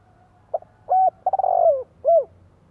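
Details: Decoy spotted dove song meant to make wild doves answer. One full phrase: a soft opening note, a short hoot, a stuttering, drawn-out coo that slides downward, then a last arched note. A faint low hum lies beneath.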